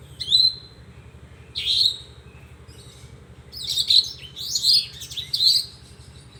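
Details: Horsfield's bush lark: separate short phrases of sharp, high buzzy chirps, spaced by brief quiet gaps, then a quicker run of notes near the end.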